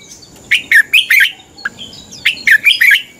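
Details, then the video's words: Red-whiskered bulbul singing a fighting song used to train birds to sing in the morning: two bursts of four or five loud, warbled notes, with a short lower note between them. "Luyện chào mào hót sáng. chào mào hót đấu"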